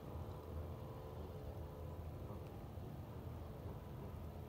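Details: Steady low engine rumble on the Colorado River at Lake Havasu at sunrise, with no animal calls heard.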